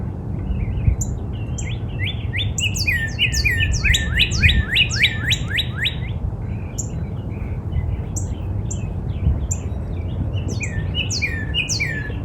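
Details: Northern cardinal in a backyard in spring singing loud, clear down-slurred whistles that speed into a fast run of repeated notes, with thin high chirps from other birds and a low background rumble.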